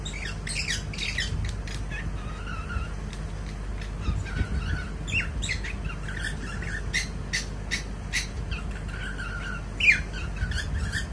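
A cockatiel chatters in quick scratchy squawks and clicks, with a few short whistled phrases.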